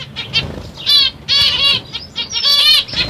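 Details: Zebra finches of CFW and pastel colour mutations, including a black-cheeked bird, give short nasal, harmonic-rich calls in bursts, with brief quiet gaps and faint wing flutters between them.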